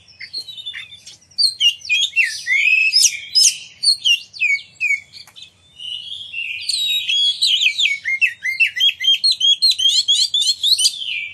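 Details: Oriental magpie-robin in energetic song intended to draw other magpie-robins into singing and tail display; varied loud whistles and buzzy notes give way to a long run of quick, repeated rising chirps.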